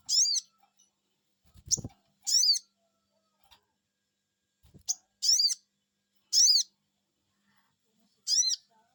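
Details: Sogon bird call used as a lure to provoke other sogon birds into answering: six clear, high, slurred whistles spaced irregularly one to two seconds apart, with two brief low knocks between them.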